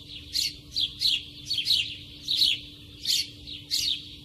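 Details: House sparrows nesting at a farmer's home in Madhugiri taluk, Karnataka, India, chirping in short bright bursts, several sharp high chirps tumbling together roughly every half second, over a low steady background hum.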